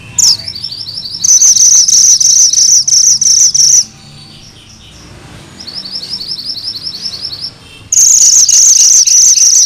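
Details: Energetic 'ngerol' rolling song from a Sunda bush warbler, used as master song and as a lure to rouse magpie-robins. Loud, rapid, buzzy high bursts repeat quickly, then a softer trill run, then loud bursts resume.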